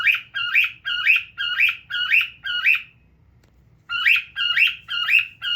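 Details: Male cockatiel at home, sitting and looking at itself, repeats a harsh rising screech six times at a steady pace, pauses roughly a second, then resumes with four more.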